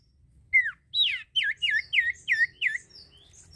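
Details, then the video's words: Common iora singing strongly as a lure for other birds: seven loud, clear whistled notes, each swooping down then up, repeated about three times a second, then fading into soft high trills. "cipoh gacor ampuh meransang burung bahan jadi bunyi"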